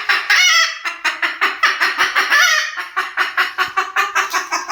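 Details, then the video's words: White cockatoo copying chicken sounds, opening with a drawn-out grating squawk, then a string of rough, nasal clucks repeated about twice per second, with a second longer squawk midway. "White Cockatoo making chicken sound"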